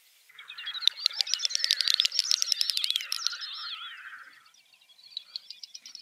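Great Snipe: a rapid, high bubbling twitter mixed with dry clicking notes, building for about three seconds, then fading into softer chatter.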